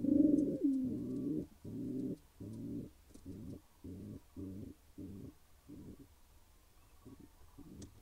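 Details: Pigeons of a new pair at the nest coo in a rhythmic series. Short, deep, purring bursts repeat about every half second and grow steadily quieter over the clip. The setting is fairly quiet.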